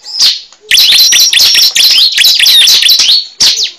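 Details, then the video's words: Cible bird lure call: a single high note, then a burst of rapid, insistent chirps and whistled slurs lasting about three seconds, followed by one last chirp. "Pikat suara burung cible terbaru sangat ampuh"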